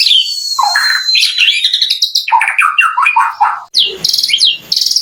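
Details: White-rumped shama in full song, used to provoke other shamas into answering: rich, varied phrases of whistles and rapid buzzy notes, sweeping between low fluting tones and high sharp chips, delivered almost without pause.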